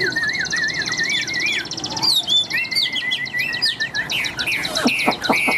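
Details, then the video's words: Tame Chinese hwamei pouring out loud, ringing song: wavering, warbled whistles, then quick stuttering slurred notes and a rush of sharp clicks and high whistles at the close. "Chim Thuần Mỏ Ra Như Máy, Giọng Cực Vang Cực Chất"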